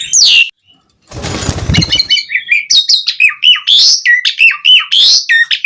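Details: Asian pied starling (jalak suren) singing eagerly in the full 'isian' style, offered as a lure for other birds: after a short rasping noise burst, fast varied whistles and harsh notes jump between mid and high pitches in quick bursts.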